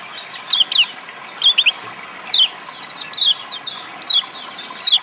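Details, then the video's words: Lombok white-eye (yellow kecial) used as therapy to make a lazy bird sing, giving high thin whistled notes, each a quick falling slur, repeated in spaced bursts over a steady background hiss. "terapi Kecial kuning ampuh bikin Kecial kuning malas Bunyi jadi gacor"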